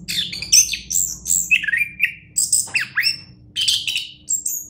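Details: Champion orange-headed thrush singing: a varied, rich phrase of loud whistles, sweeping slurs and quick high chirps, with many mimic-like squeaky notes delivered in bursts and short pauses over a faint low hum.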